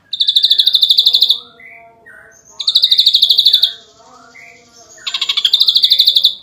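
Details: Ashy drongo champion singing 'nembak rapat': three loud bursts of rapid buzzy high notes, separated by softer lower whistled phrases and a faint background of other sounds.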